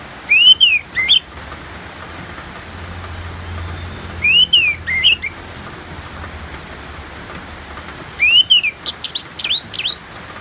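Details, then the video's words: Orange-headed thrush singing ngeplong song with natural rain in the background: three similar clear whistled phrases, each an upslurred-downslurred note and brief twitter, repeated roughly every four seconds, the last ending in rapid sharp notes. "Terapi ANIS MERAH Ngeplong dan Suara Hujan ALAMI"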